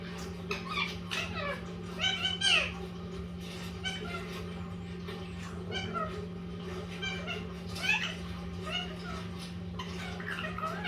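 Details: Pet Indian ringneck parakeet of the green-yellow mutation chatters indoors: scattered bursts of sharp, speech-like chirps and clipped syllables, loudest near the start and again later, over a persistent low hum.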